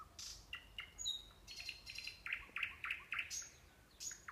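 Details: Nightingale song recorded in the Kursk region of Russia: a varied phrase of high whistles and bright repeated chirps, rising into a quick run of loud staccato notes with scattered sharp accents.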